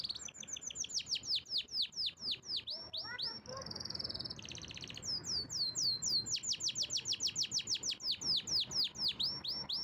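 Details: Powerful canary song: long runs of sharp down-slurred whistles repeated about twice a second, broken by a short buzzy roll and a harsh mechanical rattle, then fast slurred notes again.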